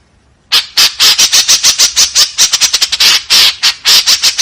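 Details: White-breasted woodswallow in a rough 'tembakan kasar' sequence. After half a second of quiet, harsh scratchy notes pour out almost continuously, several per second, loud and coarse.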